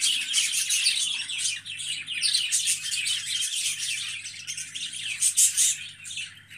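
Budgerigars chatter continuously in a dense, scratchy mix of high chirps and warbles, with several birds calling over each other and a low electrical hum beneath.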